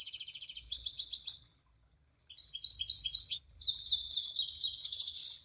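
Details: Munia song in three bursts: rapid buzzy pulses with a thin whistle, a short gap, then scattered high chips, and finally a dense, shrill stream of twittering.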